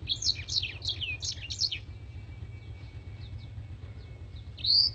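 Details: Blackthroat master song, praised as clear and crystal, for training competition birds: a fast burst of high, sharp chirps for two seconds, then faint twitters and a final loud, bright note.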